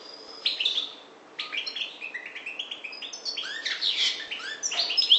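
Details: Parva goldfinch from the Maghreb opening with a thin note, then pouring out a rapid, varied twitter of high slurred chirps that grows louder toward the end.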